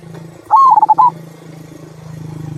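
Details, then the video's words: Local zebra dove (perkutut) giving the "kung" song style, used to prompt other birds to sing: one short cooing phrase of about half a second, a tone that rises then wavers in quick pulses, over a steady low hum. "Perkutut Lokal Suara Kung, Cocok Untuk Pancingan"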